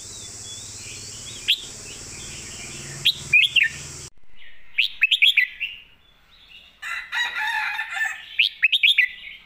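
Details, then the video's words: Repeated short phrases of three or four bright, rising whistles from a caged red-whiskered bulbul singing master-style song, with an abrupt drop in background hiss midway and a burst of rustling noise before the last phrase. "สำนวนทอง/วางเพลงชัดๆ/เพลงแม่บท #นกกรงหัวจุก"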